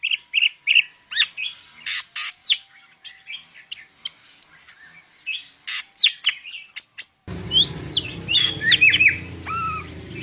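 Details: Greater green leafbird of the Medan type, in full isian style and singing steadily, gives rapid sharp chirps and whistled notes. A hum of low background noise starts after seven seconds, under bright twisting whistles.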